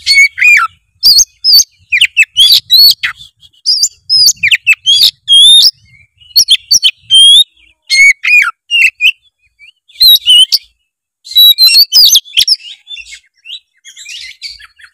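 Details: Oriental magpie-robin delivering continuous song full of imitated phrases, a lure to prompt a lazy bird to sing; dense run of sweet whistles, twitters and sharp chirps with short pauses.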